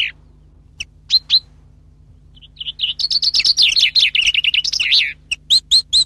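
A common chaffinch sings a bright, rapid run of high notes, framed by sharp separate chirps.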